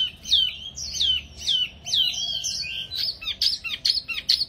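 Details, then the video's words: Spirited wambi mini singing: a run of loud, sweeping downslurred whistles at a regular pace, then a faster chatter of short, sharp, high notes to close. "Burung Wambi Mini Gacor Banget"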